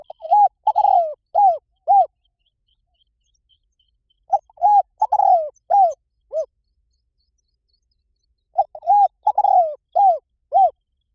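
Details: Spotted dove decoy call used to lure wild doves: three cooing phrases separated by two-second silences, each a quick stutter followed by four or five arched, slightly falling coos, clean with no background noise.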